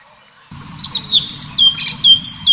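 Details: Cucak cungkok (orange-bellied leafbird) in full tembakan song: the clip opens quietly, then loud high whistles and falling slurred notes tumble out in quick succession over a faint low hum.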